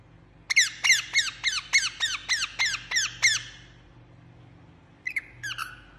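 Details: Parrot chirping: a rapid run of about ten harsh, descending chirps at roughly three per second, then a short pause and two more sharp chirps; quiet low hum underneath.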